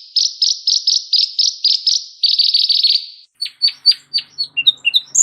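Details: High, evenly spaced double chirps from a Van Hasselt's sunbird, a richly varied singer used to tutor other songbirds, giving way to a scatter of quick downslurred whistles and varied chips.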